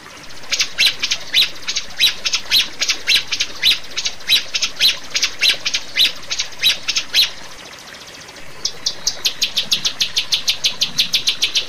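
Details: Rio-rio bird used as master sound for caged birds: a long run of harsh, even chirps about twice a second, a short silence, then a quicker series of thin ticking notes.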